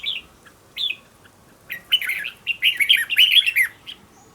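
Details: Decoy red-whiskered bulbul in training, singing quick and intense. Two isolated whistled notes open, then a rapid, run-together chatter of warbled, slurred phrases with bright overtones.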